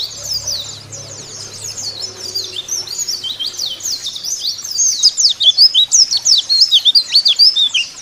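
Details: White-eye song used as a lure to get caged white-eyes singing: a rapid, twittering stream of high, thin, sliding chirps that grows louder and more emphatic after about five seconds, with faint low hum early on.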